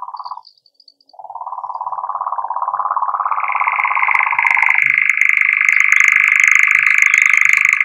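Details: A European nightjar, in a recording its maker calls rather failed, gives a long, even, mechanical churr. It runs unbroken for several seconds, then jumps abruptly to a higher pitch and carries on.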